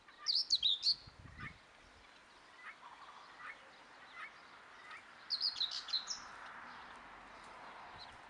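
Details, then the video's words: Young helmeted guineafowl giving two bursts of very high, thin, twittering chirps, each about half a second of rapid notes, separated by quieter scattered peeps and faint background noise. "Młode Perlice"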